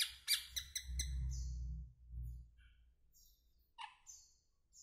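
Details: Asian glossy starling giving a quick burst of sharp, high chirps early on, then scattered thin descending notes over a low rumbling background.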